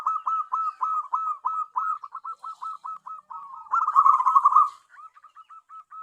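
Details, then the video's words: Local tame zebra dove, used as a lure for wild doves; long rapid chain of hooked coo notes, a loud rolling trill, then softer short coos. "BURUNG PERKUTUT AMPUH UNTUK PIKAT (PERKUTUT)"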